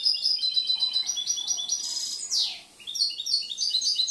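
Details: Young caged European goldfinch with a varied, inventive song gives fast repeated high twittering notes, a sharp downward-sweeping slur in the middle, then more jingling chirps.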